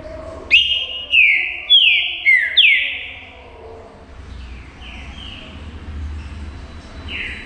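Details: Green-winged saltator singing to provoke a rival: loud, rich whistled phrases sliding downward, five in quick succession, then softer echoing phrases over a low background hum.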